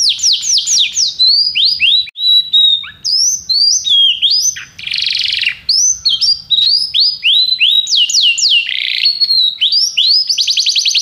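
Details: Canary in full song: repeated swooping whistles, buzzy rasping bursts, and a fast trill at the end, sung nearly without pause.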